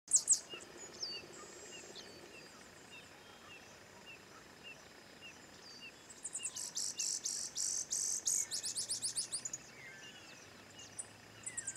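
Grassland yellow finch song: high, thin whistled notes, then a fast, buzzy, rattling trill of rapid repeated notes lasting several seconds, with faint background chirps.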